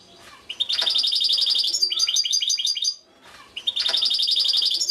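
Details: Rapid high-pitched twittering from a European goldfinch, with dense tinkling phrases and repeated chirps, a brief pause, then the twittering resumes, over faint low background noise.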